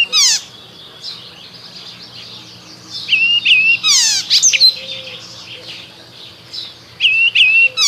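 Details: Spring singing from an Icterine warbler: harsh high rattling bursts alternating with clear, wavering whistled notes, with a long quiet stretch in between and a faint background bird chorus.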